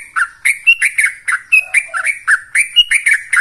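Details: Yellow-vented bulbul in fast continuous 'ropel' style song, used as a lure to stir kept birds: rapid bubbly, gurgling mid-pitched phrases with bright clipped edges, fired about five to six per second, plus two brief lower notes midway.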